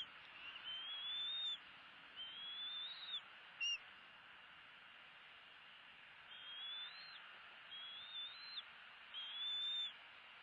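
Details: Bald eagle eaglets at the nest during a feeding on 16 February 2016, one chick fed while its nestmate gets nothing and is bitten; thin whistled rising peeps, several spaced notes over steady broadband hiss.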